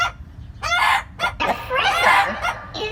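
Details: Rooster calling loudly: several short, harsh harmonic bursts, then a longer strained, wavering call with a drop in pitch, and a brief squawk at the end over a low background rumble.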